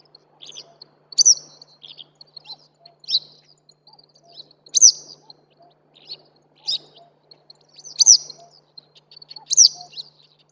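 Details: Eastern yellow wagtail singing along the Shimo-Sarobetsu wilderness nature trail in Hokkaido, Japan: loud, sharp, downward-sweeping chirps repeated about every one and a half seconds, with softer twittering notes between them.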